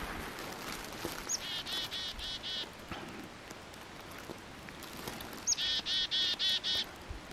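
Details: A chickadee calling for a treat on February 12, 2015: a high introductory note followed by four or five buzzy, evenly spaced dee notes, the phrase given twice about four seconds apart, with faint background noise.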